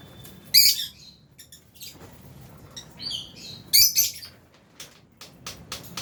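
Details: Lovebirds, albino and Fisher's, in an aviary during feeding: loud piercing chirps in two main bursts with scattered short ticks and squeaks between, several birds calling over a low steady hum.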